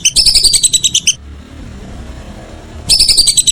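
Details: A whistling duck gives a one-second run of fast whistled notes in the evening, pauses for nearly two seconds, then resumes with another run.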